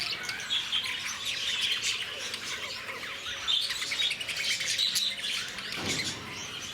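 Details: Lovebirds at the Bannerghatta Zoo in Bangalore: a busy group of shrill chirps and thin, squeaky twitters pours out nonstop, with clearer high whistled notes popping above the chatter mid-way and a brief low thump near the end.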